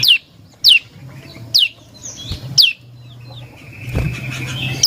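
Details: Prinia song used as a lure for other birds: sharp, high, whistled notes dropping steeply in pitch, repeated roughly every second. A faint level tone and a low thump come near the end.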